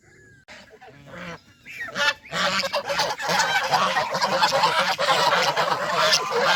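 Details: Countryside farm geese playing in the water: a few harsh honks in the first two seconds, then loud broadband splashing and rushing water noise continues to the end.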